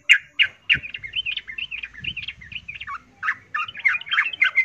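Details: Yellow-vented bulbul female in breeding condition calling a male, a lure for silent males: a fast run of bubbly, warbling notes with quick pitch turns, nearly continuous with one brief pause; faint low background noise.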